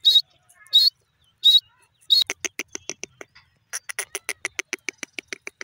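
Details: Grey francolin, called dakhni teetar, calling: four loud high squeaky notes about every 0.7 seconds, then a fast run of sharp clicking ticks repeated in quick succession.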